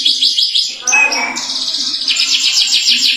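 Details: Caged Atlantic canary in continuous loud song, kept singing to prompt other canaries to sing: high rolling trills and a buzzy sustained phrase, with a faint low hum beneath.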